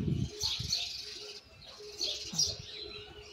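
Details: Young Argentine white jilguero practising misisipi song: two short clusters of high chirpy notes separated by a pause, mixed with low thuds and a background hum.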